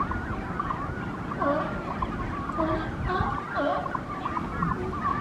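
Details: Brandt's cormorants at a busy nesting colony with young birds, Monterey, morning: a chorus of short warbling and honking calls rising and falling over a constant low roar of wind or surf.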